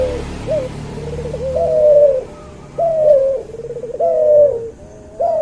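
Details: Cuhu dove, a cross of a white albino puter with a puter pelung, cooing for use as training song. Rolling, bubbling coos lead into steady sustained notes, about fifty per minute, with a faint low hum behind.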